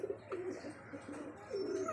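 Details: A pair of pigeons gives low, soft cooing notes in short rolling phrases.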